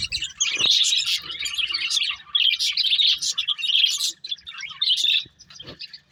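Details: Breeding pair of pet budgerigars giving continuous buzzy warbling chirps, with one sharp click near the start and a quieter, trailing close.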